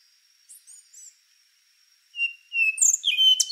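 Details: A faint steady high whine and soft chips precede the rufous-brown solitaire's song: a level whistle followed by a quick run of sweeping, ringing notes.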